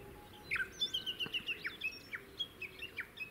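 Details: Japanese bush warbler singing on Teuri Island, Hokkaido, Japan, on 22 June 2019: a rapid run of short, sharp whistled notes and a sustained level whistle, with repeated chips over a steady background hiss.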